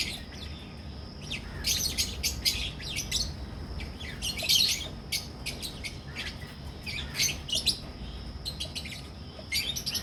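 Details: From a colony breeding setup in Pakistan, albino and personata red-eyed lovebirds squeak and twitter in irregular bursts of thin, high chirps, several birds calling together, a steady low hum behind.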